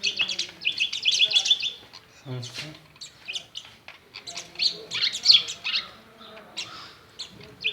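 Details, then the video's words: An Indian maina at a house, peering into a mirror, chirps in lively bursts: quick strings of high, piping notes, then scratchy squawks. There are short silences between the phrases. "Indian Bird Maina chirping and waching mirror"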